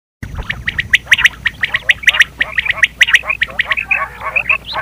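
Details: Quail calls, tied to hunting, recorded in 2023: rapid, uneven series of sharp chirpy notes, about one per second, with many quick bursts overlapping near the end, over a faint low hum.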